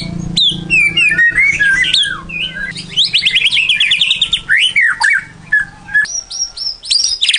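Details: White-rumped shama (murai batu) pacingan lure song: a rich, fast run of varied whistles, sweeping slurred notes and chattering trills. Loud throughout, with a steady low hum underneath.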